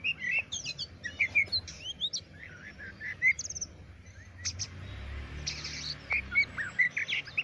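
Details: Oriental magpie-robin song of short whistled slurs and chirps in scattered bursts, with brief buzzy notes, over steady low background noise.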